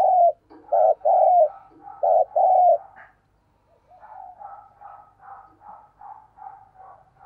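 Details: Caged lure spotted dove cooing to call in wild doves, in the thúc and gáy styles: loud deep hollow coos in quick three-to-four-note phrases, then a softer, faster run of repeated low coos.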